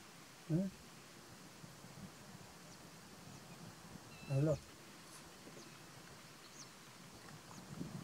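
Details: Greylag geese at Little Rann of Kutch, Gujarat, India, January 2020: two short, low, harsh honks about four seconds apart over a quiet background of faint hiss.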